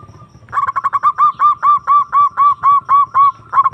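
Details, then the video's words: Zebra dove call used as a lure to provoke a rival and stir breeding drive in quiet or stressed caged birds: a steady run of short, mellow cooing notes, roughly four per second, each with a slight downward bend, over a faint low rumble. "Pancingan Perkutut Memanggil Lawan Manjur Langsung Nyaut"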